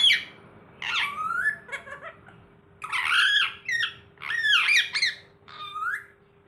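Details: Green rose-ringed parakeet (ringneck) talking in about five raspy, high-pitched, speech-like phrases over six seconds, with a faint steady hum underneath.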